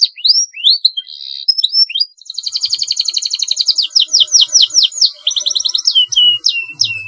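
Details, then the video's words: Canary singing long rolling song as a training master: upslurred whistles and a brief buzz, then a sustained rapid trill with repeated downward sweeps, closing with falling whistled notes and a faint low thump. "kenari GACOR panjang PANCINGAN MASTERAN masuk, SUARA kenari ngeroll panjang"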